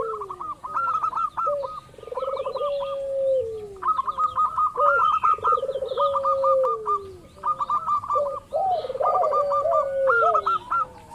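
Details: Local zebra dove calling as a lure to set other doves off. Several series of fast, rolling staccato coos alternate with lower, sliding drawn-out notes, repeated throughout with short pauses. Overlapping voices suggest more than one caller.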